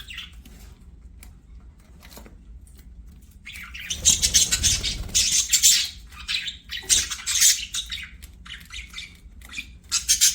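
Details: Budgies chattering as they play, quiet at first, then a dense run of rapid, scratchy, high warbling and chirps that continues for the last six seconds with only short breaks.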